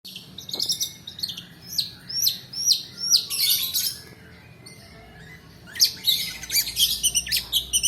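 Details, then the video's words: Long-tailed shrike song used as a lure to stir lazy shrikes into singing, a long-duration 'roll' style suited to tutoring other birds: harsh, high chattering notes in quick bursts, a pause near five seconds, then a renewed scratchy series. "PANCINGAN PENTET MALAS BUNYI ROLL DURASI COCOK UNTUK MASTERAN"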